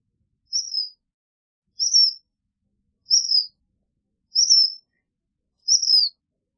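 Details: Black phoebe uttering five evenly spaced, high, thin down-slurred whistles, one roughly every 1.3 seconds, with nothing else audible.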